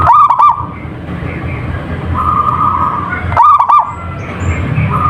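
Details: Two bursts of stuttering, rolling notes from a local zebra dove, at the opening and about three seconds later, with flat whistles and low droning noise between.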